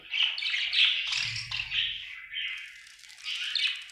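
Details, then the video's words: Happy budgie giving nonstop chattering chirps, dense scratchy warbling with quick squeaks, a brief low rumble in the middle and a softer stretch before the chatter picks up again at the end. "Happy budgie chirping sound"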